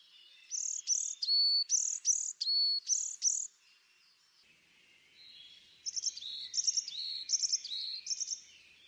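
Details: Bright alternating high and lower whistled notes from a tit, repeated rhythmically, then after a short lull a softer, more distant series of similar paired notes.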